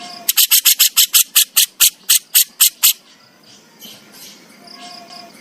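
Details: Javan crested jay delivering 'besetan' raspy song: about eleven sharp, hissing rasps in a steady fast series, then quieter rustling and faint background calls.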